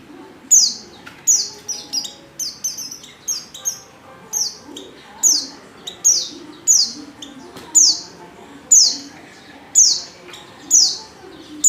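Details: Female white-eye in heat calling a male: high, thin downward-sliding notes repeated roughly every second or two, each a sharp bright chirp trailing off, with faint low murmur beneath.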